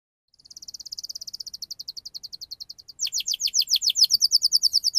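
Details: Canary song used as a lure to get young canaries to sing: a fast, even trill of short high notes at first, then louder, sharper downward-sweeping whistles repeated rapidly.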